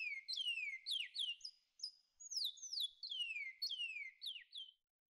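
Large-billed seed finch singing a fast, rich run of clear, downslurred whistles and sweet warbled notes, phrase after phrase with brief pauses, on a quiet background.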